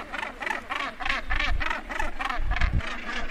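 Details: Northern gannet at the edge of its colony, recorded close up as birds land and take off: harsh, grating rasps repeated about four times a second in a steady rhythmic series, with low rumbling in the background.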